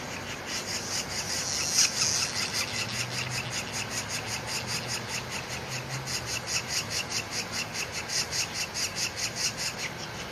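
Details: Northern Flicker chicks calling to their mother for food: a continuous raspy, buzzy begging chorus pulsing in rapid regular strokes, about two or three per second, with a louder squeal near the start.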